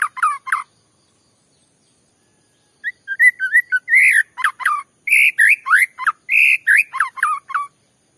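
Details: White-rumped shama lure song meant to agitate other shamas: a brief whistled burst, a pause of two seconds, then a rich run of loud, varied whistles and rising and falling slurs with sharp high accents.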